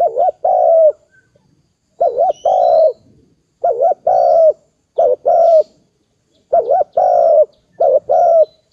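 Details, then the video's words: Dove repeating a two-part coo, a quick wavering note then a longer level one, about every one and a half to two seconds, with faint high chirps in the background. "Dove sound,Amazing dove sound,dove"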